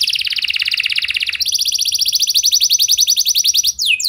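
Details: Canary training song: a rapid buzzing trill, then a second, slightly higher and sharper trill, ending with a quick descending sweep.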